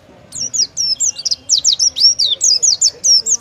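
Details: Energetic Oriental white-eye song of the 'tembakan' type prized in singing contests: a tumbling sequence of high, bright, wavering whistles, each note distinct and closely spaced, over a quiet background.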